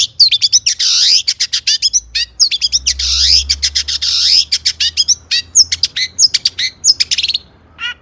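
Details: Long-tailed shrike (cendet) singing loudly as a training master for other birds: harsh buzzy sweeping phrases alternating with rapid sharp chips and clicks, repeated in bursts.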